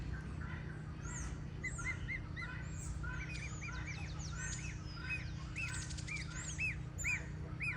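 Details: Goslings on a farm giving a busy stream of short, high, curved peeps, many overlapping, with a brief rapid chattering burst midway, over a constant low hum.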